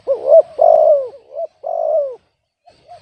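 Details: Spotted dove heard singing off-key. A hooked coo runs into a long, coarse, falling coo, then a brief soft note and another long descending coo, ending with faint distant cooing.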